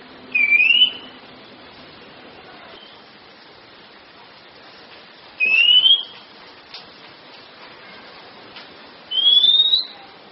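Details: Oriental magpie-robin (kacer) training recording for kept songbirds: three short, pure, upslurred whistles spaced about four seconds apart, each brief and bright against a quiet background.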